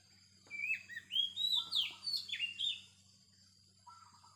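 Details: Wild Oriental magpie-robin singing: a quick, varied phrase of clear whistled and sliding notes lasting about two seconds, followed after a pause by a few softer, lower notes, over a faint steady electrical hum.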